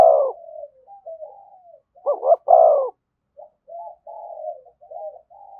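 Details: Spotted dove 'thúc gù' calling near a decoy bird: a coo trails off, then a clipped double note and a long low coo follow, then scattered soft gurgling notes.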